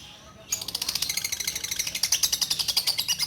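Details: Caged female orange-bellied leafbird of the Bio Green type, a former breeding hen at a bird farm that began singing constantly after her mate died. After half a second of quiet, she gives a fast, even run of sharp, high chipping notes.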